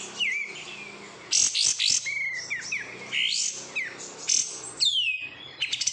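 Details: Captive oriental white-eye reared from bulk-bought market birds sings thin whistled notes, some rising, among harsh high twittering bursts, ending with a long downslurred whistle and quick chips.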